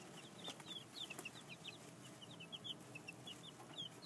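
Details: Two-week-old chicks in a temporary outdoor pen, their down almost gone, keeping up a steady run of short high peeps against background noise.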